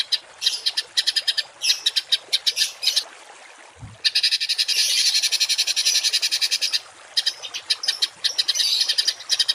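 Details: Rough masteran songbird song for tutoring kept birds: choppy clusters of scratchy pulses, then a sustained loud buzzing rattle of about three seconds, followed by more broken harsh notes.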